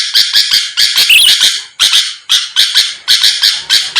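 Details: Sooty-headed bulbul song played to provoke rival birds: paired and tripled rasping notes in short groups separated by brief pauses, with a twisting whistle near one second.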